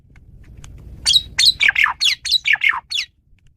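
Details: Male Asian pied starling singing a varied song, used as a lure for other birds: a quick series of about eight loud, harsh, squawky notes, some with whistled tops, following a moment of faint low background noise.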